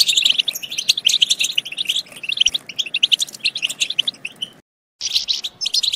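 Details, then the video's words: European goldfinch song used to stimulate goldfinches to sing and mate: dense, rapid tinkling twitters and liquid chirps, bright and continuous, with a brief silent break near the end before the twittering resumes. "بتبتات خرافية في تحفيز الحسون على التغريد"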